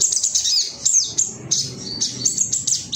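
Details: An agitated Ruby-cheeked sunbird seeking rivals gives rapid, thin, very high twitters and down-slurred squeaks in nonstop bursts, used to make other birds sing.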